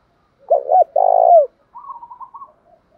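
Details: Spotted dove in the thổ pha singing style, used to provoke a captive bird into singing: a short double coo, then a long, low, throaty coo and a softer trailing murmur.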